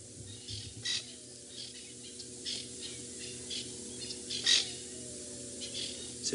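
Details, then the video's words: Francolins perched in trees on either side, early morning, 25 Feb 2018, Djuma area, South Africa, give harsh, scratchy alarm squawks in bursts every second or so at nearby lions, over low engine hum; this alarm call differs from their normal call. "But if you listen around us, there's francolins going absolutely crazy. So these are the alarm calls that we often try and use when finding cats."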